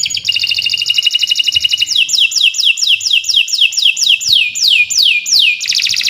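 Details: Long nonstop canary song offered as a model for training other birds: a layered rapid trill, then a series of about a dozen loud down-sweeping whistles, ending in a fresh buzzy roll; quiet clicks underneath.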